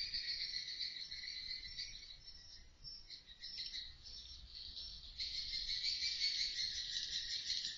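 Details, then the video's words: Swiftlets chattering inside a two-storey swiftlet house, recorded by an indoor CCTV camera: a dense, continuous high twittering buzz in two bands, louder in the last few seconds, with no other clear sounds. "dengarkan suara asli walet lg ngobrol"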